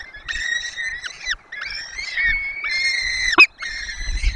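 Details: Peregrine falcons feeding four nestlings at a Barycz Valley nest in Poland, seen on a webcam: four sustained, whining harmonic calls with drooping ends, and one sharp click near the end.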